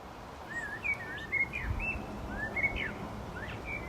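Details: Blackbird warbling in soft, rounded whistles that curl up and down in a loose sequence, with a low rumble partway through and faint high bird notes behind.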